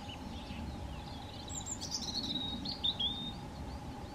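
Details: European robin on a hiking trail in Meteora, Greece, gives thin, high, wavering song phrases for about two seconds over a steady droning hum and low background rumble.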